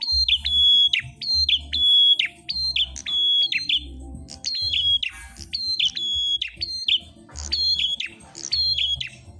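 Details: Prenjak klawu, the Ashy tailorbird, sings aggressively against a rival: dense bursts of high flat whistles with falling tails, brief pauses between runs, and a low background hum.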